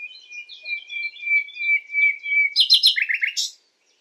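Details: Common nightingale singing at night: a sustained high whistle with chirpy overtones, then a rapid burst of harsh, scratchy notes at the end.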